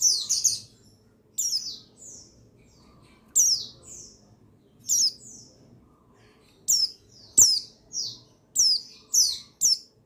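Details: Male buxtoni white-eye song meant to stir idle white-eyes into singing. Sharp, high, falling chirps are spaced irregularly at first, then come faster toward the end.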